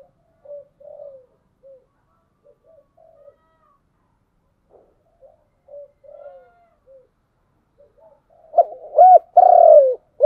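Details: Spotted dove with a voice in the giọng đồng style, giving soft, scattered low coos at first, then a louder burst of rich, rounded cooing notes near the end.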